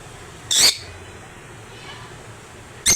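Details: African lovebird giving one loud, harsh, high screech, followed by quiet and the start of another shrill note.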